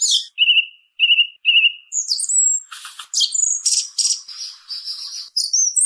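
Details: Song thrush giving three identical short flat whistles, evenly spaced. A run of very high, thin, scratchy and buzzy notes follows in quick succession.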